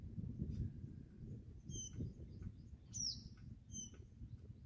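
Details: Brief high, thin bird chirps, a few scattered notes including a sharp downslurred one, over a steady low rumble of wind and calm sea, at a viewing deck in Olango Island Sanctuary, Cebu, Philippines.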